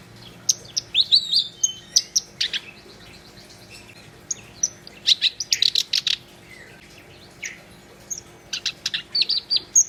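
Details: A black-browed reed warbler in full gacor song, delivering dense bursts of high, sharp chips mixed with squeaky, buzzy notes, with brief pauses between lively phrases.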